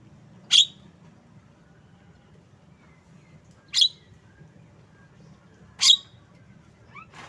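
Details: Javan myna delivering three harsh, explosive chips about two seconds apart, ending with a softer rising squeaky note, over low background hum.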